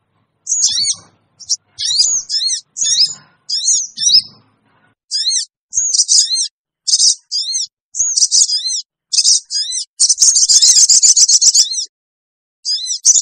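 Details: Lure call of the small bird known as sogon, used to gather wild birds quickly: sharp, very high chevron-shaped chirps in short bursts with pauses, then a dense buzzy trill near the end.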